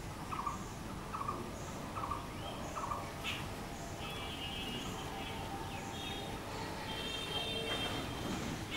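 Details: Blue-throated barbet giving short, rapid rolling notes repeated about every second for the first few seconds, then fading, with thin high chirps of other birds and a steady background hiss.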